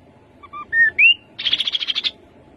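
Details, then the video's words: Rufous-capped babbler song: soft paired introductory notes, a level whistle and a rising slur, then a quick run of roughly eleven evenly spaced, ringing trill notes. "Khướu bụi đầu đỏ. tiếng khướu đầu đỏ."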